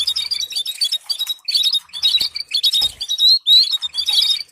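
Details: Canary training song: a lively string of high chirps, with clear upslurred whistles and rapid trills in short bursts.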